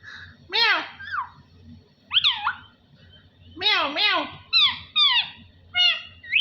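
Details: Talking parrot indoors, short spaced voice-like phrases with bending, harmonic pitch, some swooping upward and downward like spoken words, several separate utterances with pauses between; low hum behind.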